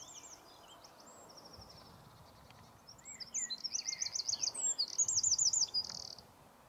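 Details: Soft, distant-sounding trills open, then a Eurasian wren bursts into loud, rapid, high trilling and buzzy rattles lasting about three seconds.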